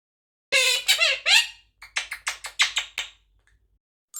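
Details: A pet Monk (Quaker) parakeet saying thank you in mimicked speech, in a raspy, high voice: three slurred syllables followed by a quick run of six or seven choppy, squeaky notes.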